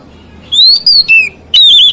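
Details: A white-rumped shama sings to provoke other shamas: long, pure whistles gliding up and down, a brief gap, then another sustained whistle.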